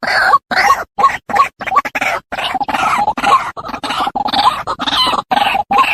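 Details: White-breasted waterhen call played as a lure to attract the birds: harsh, grating croaks repeated rapidly in choppy bursts with brief silent breaks between them, with no other sounds.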